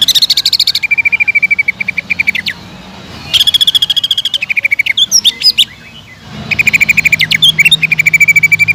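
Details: Greater green leafbird singing in bursts of rapid, evenly repeated high chirps, some runs steady and others stepping lower. Brief twittering, warbled notes come between the bursts, and there is a faint low hum underneath. The song is used as a lure to draw other leafbirds into full, nonstop singing.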